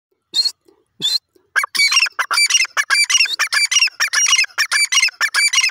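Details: Grey francolin calling: two separate harsh opening notes, then a loud, rapid run of grating, rhythmic notes repeated about twice a second, in an otherwise quiet setting.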